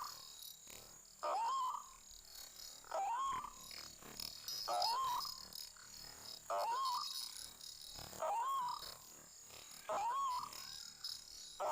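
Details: White-breasted waterhen in a forest: short rising notes repeated about every one and a half seconds, each climbing then levelling off, over a steady high-pitched buzzing background.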